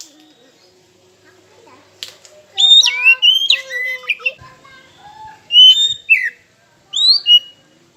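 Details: Kacer, the oriental magpie-robin, singing a lure song meant to provoke rival birds: after a quiet start, clear whistled notes sweep up and down in three separate bursts, with faint low tones underneath.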